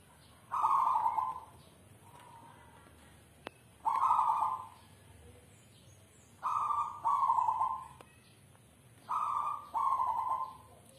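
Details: Zebra dove (perkutut) of South Sumatra, a kept bird, in manggung song: soft rolling coos given singly or in quick pairs, about every two and a half seconds, with one sharp click in a quiet setting.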